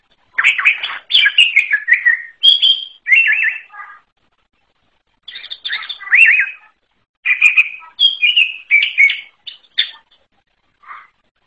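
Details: Greater green leafbird singing an unusual song in separate bursts of fast slurred whistles and chattering trills, each bout a few seconds long with pauses between.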